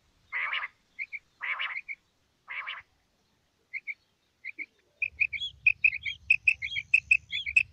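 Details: Common quail, a female batair, making three rasping, buzzy notes interspersed with soft paired notes. Then comes a rapid chattering series of double notes over a low rumbling background.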